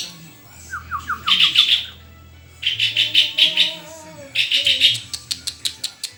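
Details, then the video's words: Lively white-rumped shama song mixing brief falling whistles with rapid, bright chattering phrases in three loud bursts, ending in a string of sharp clicking notes; soft low humming and faint tonal background sounds underneath. "SUARA INDAH BURUNG MURAI GACORRRRR!!!"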